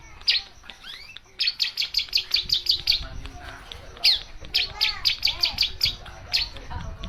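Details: Long-tailed shrike (cendet) singing a rich 'isian' song of the kind used as master material for training other songbirds: bursts of sharp high chirps in quick runs, a short pause, then another fast series of bright notes.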